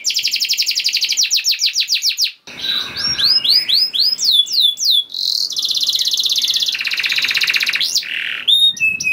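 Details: Canary song used to stimulate other canaries to sing: rapid high trill, then curved whistled notes, buzzy rolls and rattles, changing tours every second or two.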